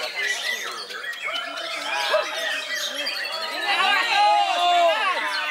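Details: An older white-rumped shama, described as an old bird that still impresses, pours out rich, varied whistles and fast rising-and-falling phrases, with human voices murmuring underneath.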